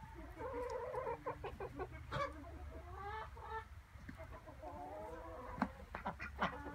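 Several ducks give nasal, harmonic quacks and drawn-out chatter that overlap one another, with a low rumble of background noise.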